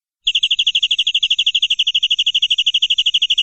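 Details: Canary tutor song in the 'nembak' style: a fast, perfectly regular trill of high bell-like pips, about twelve per second, continuing steadily throughout, with faint low rumbling noise underneath.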